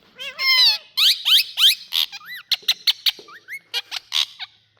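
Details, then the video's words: Many parrots in India calling together: harsh squawks and whistled notes that swoop up and down, delivered in quick, irregular, overlapping bursts. "So Many Parrots🌶Making Amazing🌸 Sounds!"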